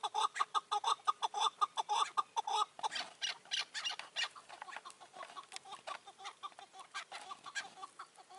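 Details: Chukar partridges during a decoy partridge hunt in May 2024, with an old wild partridge staying wary of the decoy cage; a rapid series of clucking chuk notes around two per second, turning into harsher, noisier bursts in the second half.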